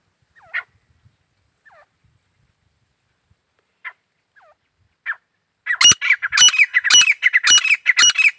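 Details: Grey francolin: a few soft, scattered short notes and chirps over the first five seconds, then loud harsh squawking phrases repeated in a fast rhythmic series to the end.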